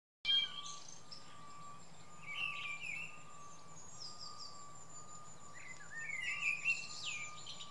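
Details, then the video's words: Mistle thrush song: short, loud fluty phrases separated by pauses, over high twittering from other birds, a steady whining tone and a low hum. "Mistle thrush"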